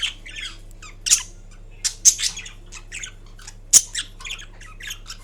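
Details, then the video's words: Pet Indian ringneck parrot, green form, murmuring while napping: irregular high squeaky chirps mixed with a few sharper squawks and one abrupt click, with quiet gaps between bursts. "Indian Ringneck Parrot Making Different Sounds While Napping"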